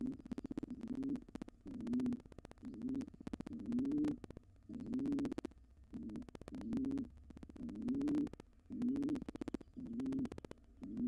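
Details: Intruding wild pigeon pair trying to take over a nest box once the resident pair's nestling has fledged. Throaty coos repeat roughly once a second, some rising and falling, over frequent clicks and scuffles.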